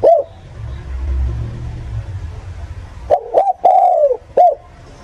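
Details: Spotted dove lure call for bird catchers: an opening short coo, then a low rumbling passage, followed by a double coo, a long falling hollow coo and a final short note.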